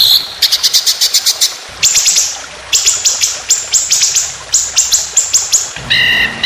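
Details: A white-rumped shama sings a rapid-fire 'tembakan panjang roll speed' phrase, a contest-bird training song of quick, high, metallic repeated notes in bursts, closing with lower stacked whistles.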